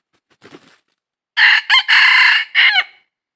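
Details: Red junglefowl during wild trapping, 22 December 2021: a faint low rustle first, then a loud hoarse crow of four parts, short, short, long and held, then a drooping end note.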